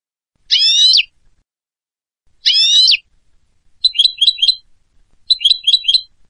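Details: European goldfinch song: two bright, ringing trilled phrases, then two bursts of quick tinkling twittered notes, each phrase short and separated by clean silence.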